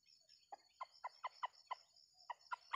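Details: Red junglefowl near a decoy crowing rooster used in traditional trapping of wild Sumatran junglefowl in a small oil palm plantation; a series of about ten short clucks, roughly four per second, with a steady insect hiss behind.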